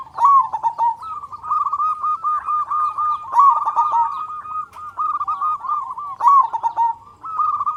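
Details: Local zebra dove, a loud and persistent singer, used as a lure to get other zebra doves singing: rapid rolling coos at one steady pitch run almost without pause, with louder bursts near the start, middle and end, over a faint low hum.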